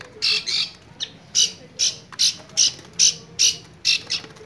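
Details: Long-tailed shrike singing energetically, a bird noted for somersaulting; harsh, raspy high chattering bursts repeated about twice a second in a steady run.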